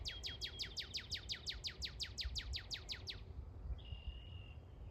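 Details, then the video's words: Northern cardinal song resembling Star Wars sound effects: a fast run of about fourteen sharply falling laser-like whistles over three seconds, followed by a steady high thin whistled note; low background rumble. "A Cardinal doing “Star Wars” sound effects!!!"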